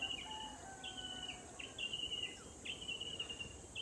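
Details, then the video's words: A Grey-backed Tailorbird at Tarlac Recreational Park, San Jose, Tarlac, Philippines, identified by its call, gives loud, high, clear whistled notes, each about half a second, roughly one per second, over a steady high insect drone. "I checked the call and it matches the Gray-backed Tailorbird. There we can hear it calling."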